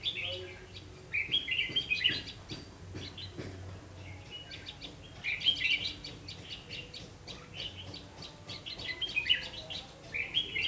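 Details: Red-whiskered bulbul singing at a double-spring trap on 3 September 2016 around 5 pm; bursts of warbled, rapidly modulated whistled phrases come in three clusters separated by quieter gaps, over a steady low hum and faint clicks.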